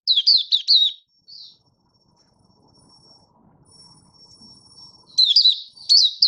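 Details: Malaysian Oriental white-eye (mata puteh), a caged bird out of form, giving buka sing on 1 August 2023: a quick burst of high slurred chirps, long near-silence with a faint thin tone, then the sweet twittering resumes.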